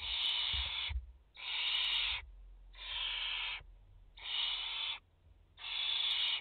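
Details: Barn owls at a nest in France, mother with four chicks, recorded 30 August 2021 on a live camera: five evenly spaced breathy, hissing screeches, each under a second, in a steady rhythm.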